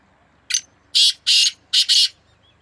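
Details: Black francolin phrase from a fierce calling match between two birds. A short harsh note leads into two long buzzy rasps and a quick doubled finish, with faint low rumble in the background.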